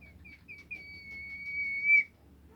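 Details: Bimoli bird song said to get other bimoli birds singing: a few short whistled notes, then one long steady pure whistle that swells in loudness and ends abruptly, over a low background hum.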